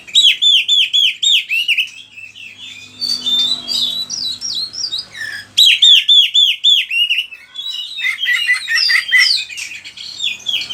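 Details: Energetic oriental magpie-robin song for luring and tutoring other birds: strings of rapid downslurred whistled notes, softer varied twitters between, then another loud run of repeated slurs and mixed chirps.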